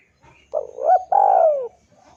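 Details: Spotted dove coo used as a lure for a rival: a close, loud phrase of two quick notes and a long slurred downward coo, filling most of the short recording.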